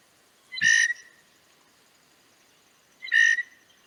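Two harsh, nasal Blue Jay screams, each about half a second long and spaced roughly two and a half seconds apart, with a soft thump before the first.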